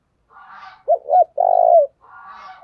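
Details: Low three-part coo from a decoy spotted dove, sounded to attract wild doves: two short notes, then a long rough coo. Harsher, broader calls come just before and after the phrase.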